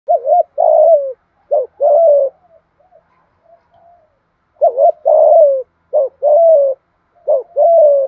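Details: Kept spotted dove cooing in the Vietnamese thúc gù style with a deep thổ voice: mellow, low hooted phrases of a quick rising-falling note and a longer drawn coo, repeated in pairs with a soft faint murmur between.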